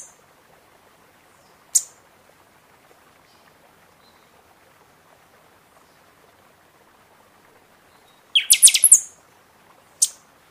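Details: Buffy-fronted seedeater in full seasonal song, used to rouse birds after moulting; long quiet gap, one sharp chip, then a dense burst of shrill rapid whistles followed by a final high chip.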